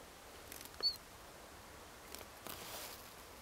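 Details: Siberian Chiffchaff (Phylloscopus collybita tristis), a ringed bird at Flommen, Falsterbo, Sweden, on 10 October 2010, gives one short, high, nearly flat piping note, followed by soft clicks and rustling.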